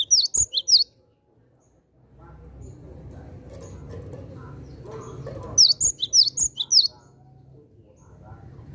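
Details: Vocal cinereous tit calling out to wild tits: two bursts of rapid, high, downward-sweeping chirps, each lasting about a second, separated by several seconds of low rumbling background noise.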